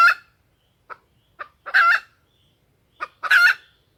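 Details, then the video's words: Female junglefowl lure call, used to draw wild males into crowing: short soft clucks followed by two louder, harsh, harmonic squawking calls, each about half a second, in quiet surroundings. "suara pikat ayam hutan betina"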